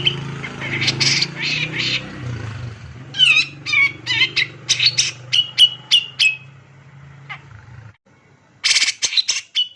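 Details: Grey-cheeked Bulbul male in aggressive, dense song. Rasping phrases, twangy dropping notes and sharp chips spread over a low steady hum, then a final flurry of crisp rapid ticks after a brief silence.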